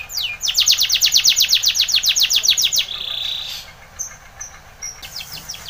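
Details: Spanish Timbrado canary song for training, with a fast run of evenly repeated falling notes, a steady trill, then a few sparse high whistles.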